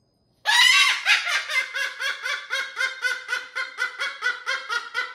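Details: Indoor pet cockatoo dancing on a TV stand, producing a long, laugh-like chatter: a loud harsh onset, then quick pulsing hoarse notes repeated about four times per second for nearly five seconds.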